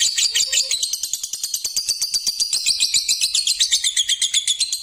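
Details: Six-month-old Balibu lovebird in continuous rapid chatter, a dense high buzzy trill pulsing several times per second with a steady rhythm throughout.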